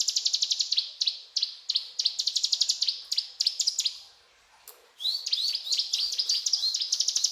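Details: Ciblek gunung singing actively in the cetrakan style: fast, dry, rattling bursts of high ticks, broken by a short pause near the fifth second, then resuming as quicker sliding chirps.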